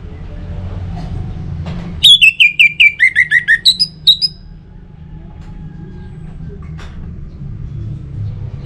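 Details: Orange-headed thrush in loud ngeplong-style song, used as a lure to get other birds singing: a burst of about ten sharp, clear whistled notes stepping downward, then quiet room hum and a faint click.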